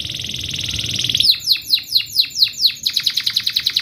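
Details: A Belgian canary sings a training song: a high, rapid buzzy trill, then downward-sweeping whistled notes about four per second, ending in a quicker chattering run.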